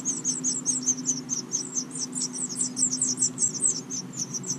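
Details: Five fuzzy house finch nestlings in a nest on a porch in Watertown, New York, beg with a rapid, continuous stream of thin, high peeps over a steady low hum while their parents feed them.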